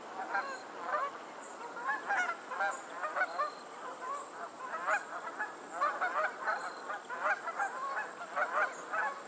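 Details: A flock of geese on a lake in Pennsylvania keeps up a dense, restless chorus of overlapping nasal honks, several per second, with short high squeaky notes mixed in.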